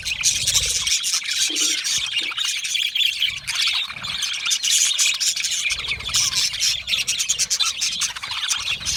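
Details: Contented budgerigars chatter together in a colony, a thick stream of rapid high tweets and whistled notes overlapping steadily, loud throughout, with brief low thumps now and then.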